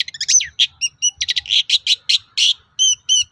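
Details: Long-tailed shrike singing as a lure for other shrikes: fast, varied string of harsh chatters, buzzy notes and thin whistles, loud and nearly continuous.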